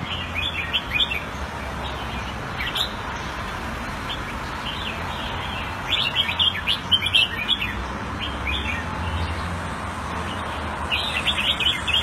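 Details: Caged red-whiskered bulbul kept in Singapore and played Thai style, recorded around 14 February 2018: scattered bright chirps and short warbled phrases, clustered near the middle and end, over steady low hum and background noise.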